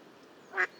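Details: A single short, nasal quack from a Mallard (Anas platyrhynchos) recorded in the wild, harsh and slightly raspy, over a quiet background hiss.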